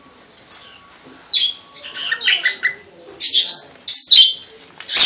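A cockatiel gives a run of bright, scratchy chirps in uneven bursts.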